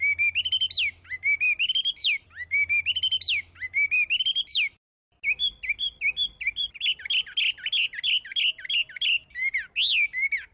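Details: Chinese hwamei singing loud rising whistled phrases that end in a sharp upward flourish, repeated three times, then a busier mix of chattering and whistled notes over a faint hum.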